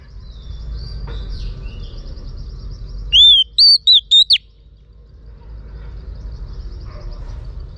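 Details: Female Oriental magpie-robin call meant to stimulate males: one rapid phrase of an arched whistle and four quick sharp notes, with faint bird twittering before and after.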